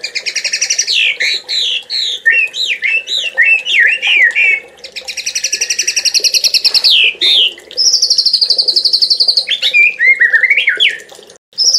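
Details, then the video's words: Oriental magpie-robin song used as a master recording for training songbirds: long, loud runs of rapid rattling trills and sweet swooping whistles, shifting between buzzy stuttered series and clear sliding notes, with little pause between phrases. "MASTERAN MATERI MEWAH MURAI JUARA"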